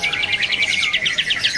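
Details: At a bird market in Jakarta, a caged olive-winged bulbul (Pycnonotus plumosus) from Sumatra, an active singer, sings a quick, loud, high run of bright chirping notes, about eight per second.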